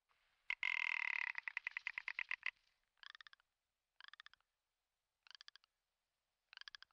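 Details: Commander Islands rock ptarmigan (Lagopus muta ridgwayi) in Komandorsky Reserve during the spring lekking season gives a harsh grating rattle of rapid clicks for two seconds, then four short dry rattling bursts about every second and a half.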